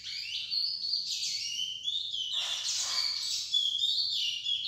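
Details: Song of a lesser seed finch tutor with a young bird listening: continuous high, rich warbling with slurred whistles and buzzy notes.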